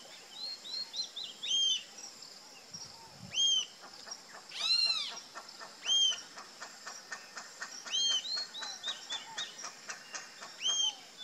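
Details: Rufous-tailed jacamar repeats high, arched, whistled notes every second or two, with one louder ringing note midway. A rapid dry ticking series and assorted softer chirps from other birds run underneath.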